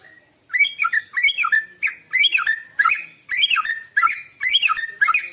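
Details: Rich morning song of a white-rumped shama, used to attract other birds: continuous phrases of warbled, fluting notes and bright chirps, repeated in similar bursts about every half second with barely a pause.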